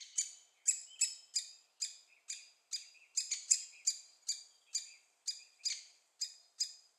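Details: Great spotted woodpecker young being fed in Staverden, Netherlands, call in a loud, sharp, high chip about twice a second, each note clean and separate, occasionally doubled.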